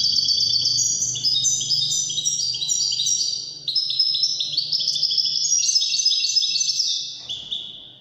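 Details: European goldfinch in Moroccan widani song style delivering a long, unbroken run of high, bright, stepped whistled notes and twittering trills, ending in a final drawn note.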